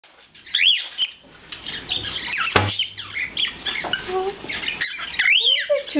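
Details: Two pet cockatiels, one a male, sing to a noodle strainer: a busy run of bright, rising and falling whistles mixed with quick chirps.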